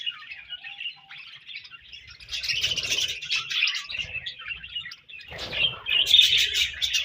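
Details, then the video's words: Pet budgies chirping: soft scratchy twittering builds into louder rapid warbled chatter, pauses briefly, then resumes with bright squeaky notes and clicks, a faint low rustle underneath. "Budgies Chirping Sounds"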